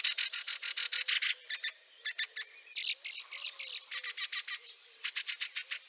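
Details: Rapid, loud rattling series of harsh chack calls from a Fieldfare in snow at Liepāja, Latvia, March 2023, delivered in fast bursts with short gaps, clean and close.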